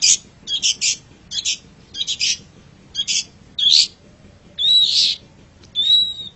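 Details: Pentet, or long-tailed shrike, in a songbird tutor recording: short scratchy, rasping phrases, then longer hoarse notes mixed with a thin whistle.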